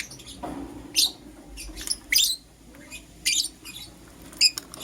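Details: Caged lovebirds, green personata and yellow pastel pied, calling in the morning with harsh, high squeaky chirps spaced roughly a second apart, over a faint low hum.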